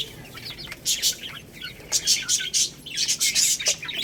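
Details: Chicks eating rice. Loud bursts of high chirping come in clumps about every second, with soft clicking in between.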